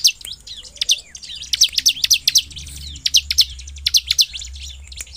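A Bar-winged Prinia sings fast, shrill, high-pitched notes in quick bursts, some sharply rising or falling, over a faint low hum.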